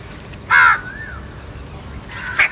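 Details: A single strong, grating caw from a crow fighting over food, followed by a faint gliding whistle and a quieter, shorter caw near the end.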